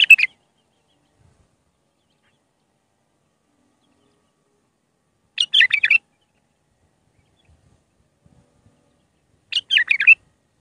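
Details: Raw Mandalawi-style song of an Iraqi bulbul, meant for tutoring bulbul chicks: three brief bursts of rich, jumbled warbling, spaced roughly five and four seconds apart, with silence between.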